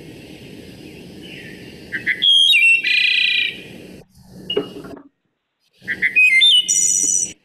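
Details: Wood Thrush of New York State woodlands, its song called flute-like, gives two phrases about four seconds apart, each a few clear whistled notes ending in a high, shimmering trill, over a faint low hum.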